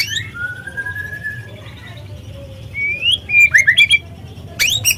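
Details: White-rumped shama, a young speckled bird, used as a lure to provoke singing: a long level whistle, a quiet gap, then a rising slur, a quick run of looping chirps and a steep upward sweep, with a faint low hum.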